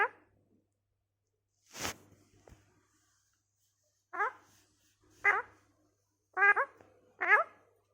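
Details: Indoors, a talking parrot produces short rising voice-like syllables, roughly one a second in the second half, after a sharp click and a brief rustle.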